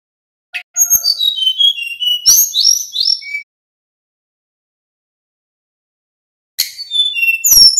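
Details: Male Little pied flycatcher song in nyeklek style, played as a lure so other birds respond: a click, then high thin whistles falling in steps, a tumbling phrase of brighter notes, a pause, then the song starting again.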